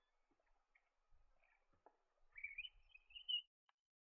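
A Grey-fronted Honeyeater gives a bright, rising whistled phrase ending in a sharp high note, after a few soft scattered chips; otherwise quiet.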